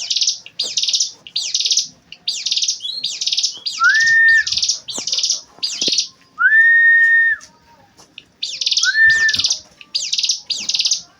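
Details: Ciblek gunung singing a series of harsh buzzy high phrases in steady succession, broken by three sustained pure whistles that rise briefly then hold flat before dropping.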